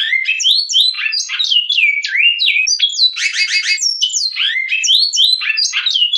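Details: A Great-billed Seed-finch (Sporophila maximiliani) gives the Goiano Clássico song, Batuque line: a rich, flowing run of clear fluted whistles sliding up and down, broken midway by a short buzzy trill, with no other sounds.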